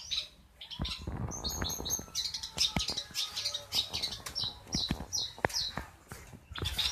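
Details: Long-tailed shrike making a strange call: varied high, sharp chirps and clicks delivered irregularly in quick bursts, with occasional low thumps beneath.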